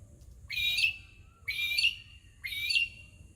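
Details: A Magpie-lark (peewee) in an Australian backyard gives its distinctive call: three loud, harsh, ringing notes about one a second, against a faint low hum; its call is usually answered by its mate.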